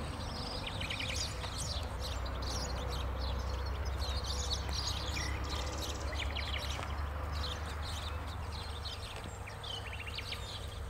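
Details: Spanish sparrows in Bulgaria on 28 April 2017 chirp constantly in a busy, overlapping chorus of short chattering notes over a steady low rumble of wind or distant traffic.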